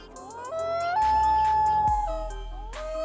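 A loon gives a long, mournful wail: a clear note slides up, holds steady for about a second, then breaks and rises again, over background music.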